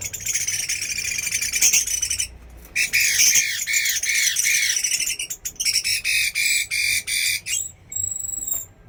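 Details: Chinese hwamei delivering vigorous song: dense grating phrases, then a run of bowed, arching notes, followed by clipped repeated bursts and a final thin, pure high whistle.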